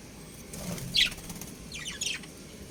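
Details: Pet budgerigars from a breeding pair chirping: a sharp bright chip followed by a burst of rapid, scratchy warbling notes over a faint background hum.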